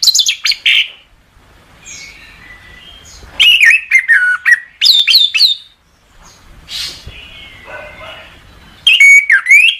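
Orange-headed thrush singing loud, rich bursts of varied whistles and sharp chattering notes, with softer quiet warbling filling the gaps between phrases.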